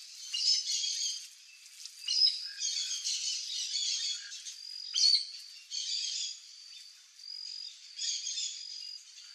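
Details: Chestnut-eared Aracari (Pteroglossus castanotis), free in the wild, giving harsh, squeaky, high-pitched calls in bursts roughly every second or two, with other bird chatter in the background.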